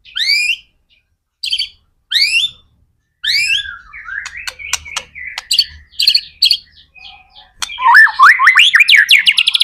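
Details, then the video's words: White-rumped shama song in lively 'gacor' style, played to coax other shamas into singing: sharp upslurred whistles, then a dense run of clicks, chirps and fast rising whistled notes building to a loud finish. "MURAI BATU GACOR AMPUH BUAT PANCINGAN MURAI BATU AGAR CEPAT BUNYI JADIKAN BURUNG MURAI GACOR"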